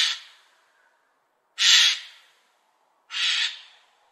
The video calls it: Magpie Noises